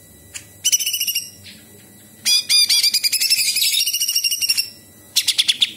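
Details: Cucak cungkok bulbul in lively song filled with imitations of small birds, big birds and insects: short bursts of fast, high, rattling notes, one longer chattering phrase of about two seconds, then a final rapid burst.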